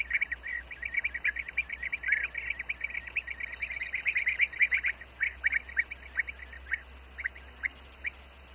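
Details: Bee-eaters feeding their young in the Přerov region, Czech Republic, in spring give a dense chorus of rolling, liquid trilled notes, fast and overlapping at first, then thinning to scattered calls.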